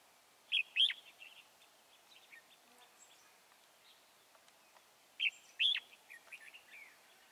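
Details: Red-whiskered bulbul, a wild bird caught in a trap at Chùa Hương on 24 March 2018, giving two loud, bright warbled phrases several seconds apart, each a quick burst of rising and falling whistled notes trailing into softer chatter.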